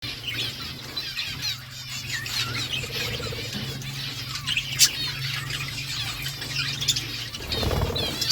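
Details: Budgies eating seeds, a steady busy chatter of high, warbling chirps and short twitters running through the whole stretch, over a constant low hum, with a sharp click near the middle and rustling toward the end.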